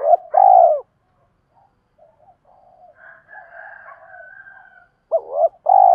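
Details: Decoy spotted dove cooing to lure wild doves and train decoys; a low two-part coo, a brief hooked note then a longer drawn one, is cut off at the start, with soft murmuring in between and a fresh coo at the end.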